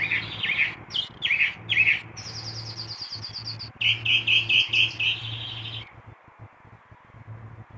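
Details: Chalk-browed mockingbird heard at 6 in the morning giving chirpy whistled notes, a thin buzzy trill, and a series of six repeated warbled notes, over a steady low hum.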